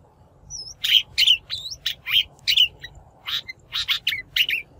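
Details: Shrike lure call for trappers and for shaping a wild-caught bird's voice. Loud, grating notes mix with thin upslurred whistles, repeated roughly twice a second in irregular groups. A soft low rumble sits underneath.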